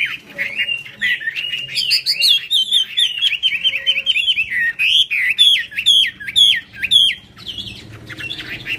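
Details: Hwamei performing hót xòe song with an eagle-wing display: a fast, continuous stream of bright whistled notes, up-and-down slurs and repeated chattering figures, roughly two notes per second, mostly clear and loud.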